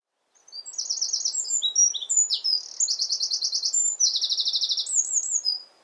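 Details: Eurasian wren in full song, competing with the wind: a loud, high, rapid outpouring of sharp notes and fast trills, with two long rattling trills near the middle; a soft low wind hiss sits underneath.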